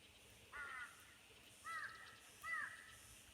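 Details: Birds calling in the early morning at Khajiar near Dalhousie, Chamba: three short harsh caws with clear stacked bands, spaced about a second apart, over a faint hiss of open air.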